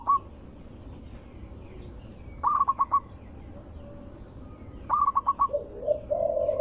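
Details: Zebra dove lure recording with a loud, melodious voice, meant to make other zebra doves answer: two bursts of four or five quick staccato notes, plus a short lower wavering coo from a second dove, over steady background hiss.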